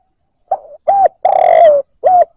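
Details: Spotted dove newly taken from the wild, cooing: a brief note trailing off, a rounded coo, then a long drawn coo falling at its end, then one more short coo.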